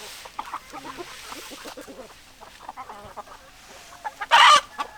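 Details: Hens clucking at a low level, soft clipped notes repeated irregularly, broken near the end by one loud, harsh burst lasting under half a second, then a few more quiet clucks.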